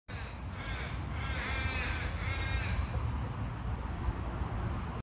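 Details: A white-faced heron (Egretta novaehollandiae) gives two harsh, nasal croaks about a second apart over a steady low rumble of wind or distant traffic.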